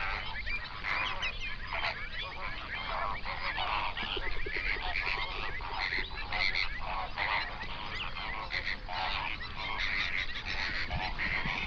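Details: Hundreds of flamingos on a national park lake in South Africa's Overberg region, recorded binaurally around sunrise. A dense, continuous chorus of nasal, goose-like honks overlaps throughout, with a steady low rumble beneath.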